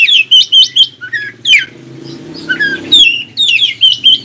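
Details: Oriental magpie-robin song used to make other magpie-robins answer and sing: rapid bursts of bright, descending whistled notes, briefly pausing midway over a faint low hum, then resuming in quick chattering phrases.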